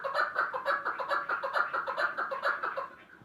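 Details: Chukar partridge calling in a rhythmic series of short, hoarse chuck notes, about two each second, evenly spaced and fading away toward the end.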